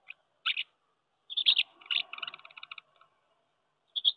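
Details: House martins at their nests on a wooden house during May 2023 courtship, after cool weather delayed breeding; sparse sharp chirps, then a quick rattling run of clipped notes, and another chirp at the end.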